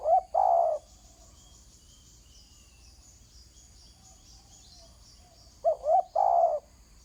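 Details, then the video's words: Spotted dove calling on the ground: a coo phrase ends at the start, then a quiet gap of about five seconds, then another phrase of two brief coos and a longer one. A faint high buzzing plays behind. "Terkukur kg bunyi atas tanah"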